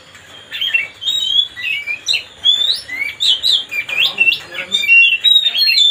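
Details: Kacer, or white-rumped shama, singing to stir up a rival bird: rich, varied phrases of clear whistles and sweeping slurred notes in uneven bursts, some rising sharply, over a faint low hum.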